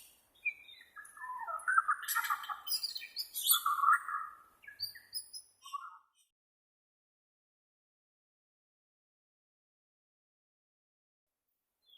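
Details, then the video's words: Bornean white-rumped shama, original recording used as therapy for captive shamas: a rich burst of varied whistles, slurred rising and falling phrases with harsher chattering notes, lasting about six seconds before silence. "SUARA ASLI BURUNG MURAI BORNEO,cocok buat terapai murai batu anda"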